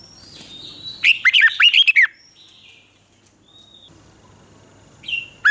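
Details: Caged red-whiskered bulbul in Thailand singing in the southern master style, a song meant to stimulate and teach young birds: a rapid burst of roughly six bubbly, slurred notes, a pause with faint whistles, then another phrase begins.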